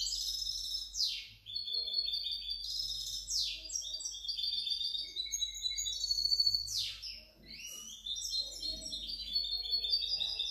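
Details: Hybrid European goldfinch in full song: long run of high, twittering, tinkling trills repeatedly cut by harsh buzzy downward sweeps, the pattern returning several times over ten seconds.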